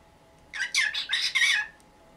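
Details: A pet cockatiel, 19 years old, squawking in the morning to demand that the cover over its cage be taken off. One raspy, broken screech lasts about a second, made of three or four harsh pulses, over a quiet background.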